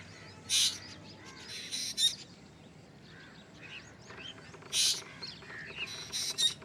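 Black drongo giving harsh, rasping bursts, four or five over several seconds, with faint thin whistled notes in between; no other clear sounds.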